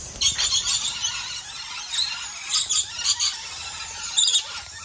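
Rainbow lorikeet giving shrill, grating screeches in quick uneven bursts, about six in five seconds, over a steady high background hiss.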